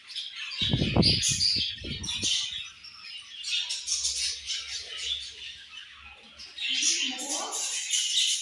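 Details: Flock of budgies keeps up a busy, twittering chatter of squeaky high notes, while a few low knocking thuds sound early on.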